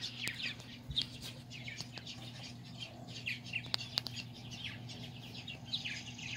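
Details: Purple martin parents feeding their babies on July 9, 2020, described as playful: continuous overlapping chirps and gurgling chatter with sharp clicks, over a steady low mechanical hum.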